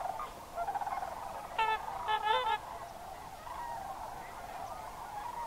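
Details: Sandhill cranes in October autumn migration at Crex Meadows wetland, Wisconsin, evening or early morning, give two loud rolling trumpeting calls over a steady murmur of many distant cranes, with over 10,000 present at peak.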